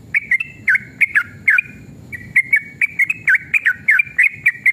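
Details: Emotional, rapid-fire song of a sooty-headed bulbul played to draw replies: bouncing whistled notes with sharp downward swoops, a brief gap near the middle, then a dense, quickening run to the end.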